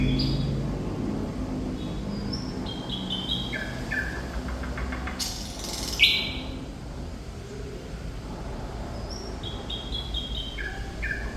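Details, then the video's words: Quieter thrush nightingale (Sikatan Londo) song: cascades of short descending whistles, a brief rattle, a loud harsh burst and a sharp note, then more falling whistle series, over a rumbling low background. "Sikatan Londo Thrush Nightingale Gacor"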